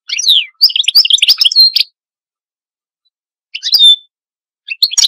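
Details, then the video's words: Goldfinch giving short bursts of bright twittering chirps and slurred notes, separated by silent gaps of one to two seconds, with one clear whistled note near the end. "Call of the Goldfinch"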